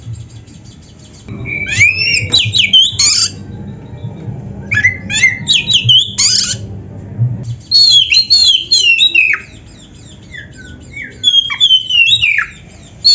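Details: Oriental magpie-robin singing in bursts separated by quiet gaps, with rapid scratchy notes, squeaky whistles and downswept slurs over a low hum; a recording used to train caged birds to sing.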